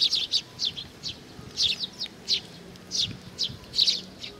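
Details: Sparrows visiting for food, Tenmangu, Nakanoshima, June 7 2020: steady sequence of bright chirps roughly every half second, a few doubled, against a hum of background noise.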